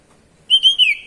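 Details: Kacer ngeplong call of a White-rumped shama, meant to get young birds singing: a brief clear whistle followed by two more pure notes sliding slightly downward, with a faint tail.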